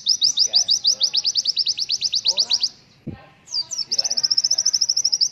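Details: A white-eye (pleci) on a tutor recording for young birds sings a fast, high twittering run of short chirps, about three per second, pausing briefly before resuming.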